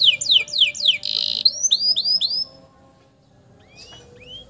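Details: Canary singing a long roll used as master song for training young canaries: quick descending sweeps, a buzzy burst, then rising upslurred whistles, after which the song stops and only faint notes remain.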